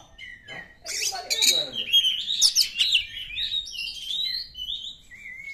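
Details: Oriental magpie-robin in the wild, its song played to prompt silent, stressed caged birds to answer. A burst of rapid scratchy notes gives way to a run of clear, slurred whistles that rise and fall.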